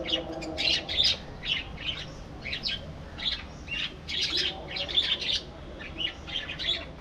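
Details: Budgerigars in a breeding colony, a kept flock: bursts of harsh, squawky chirps come in short clusters roughly every half second to second, separated by brief quieter gaps over a low background hum.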